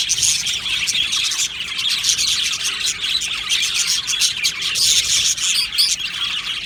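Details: Aviary-kept Australian budgies singing and chirping together: continuous shrill chatter of overlapping tweets and warbles, with a couple of clear whistled notes toward the end.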